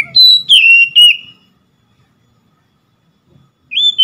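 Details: Oriental magpie-robin giving three ringing whistles that drop in pitch, then silence, and a single rising whistle at the end.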